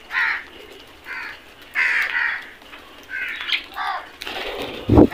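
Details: A flock of crows caws while feeding: a run of short, harsh, nasal caws roughly every second, some doubled, from several birds, ending with a loud thump and scraping noise.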